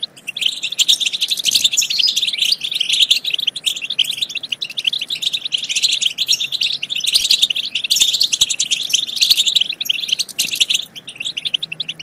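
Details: Long stretch of European goldfinch song, continuous busy twittering and buzzy trills with slight swells in intensity, used to rouse goldfinches into singing and mating.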